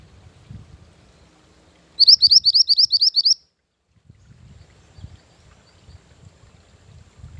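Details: Mantenan gunung song used to lure birds and train them: a rapid burst of about eleven high upswept chirps lasting just over a second, preceded and followed by soft low background rumble.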